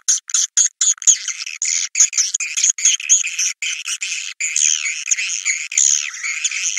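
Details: Swiftlet calls in the Naga Merah style, used to draw swiftlets to nests: shrill buzzy twittering cut by short regular pauses, steady and high-pitched throughout.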